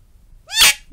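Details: Pet talking bird giving one loud, harsh burst under a second long: a few rising tonal streaks that break into a raspy, hissing blast high in pitch, with a quiet room behind.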